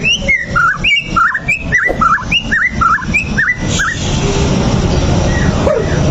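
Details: White-rumped shama song played to rouse a rival into fighting: clear, looping whistled notes, each a quick up-and-down slur, repeated about three per second for four seconds, then only a broad hiss and background rumble.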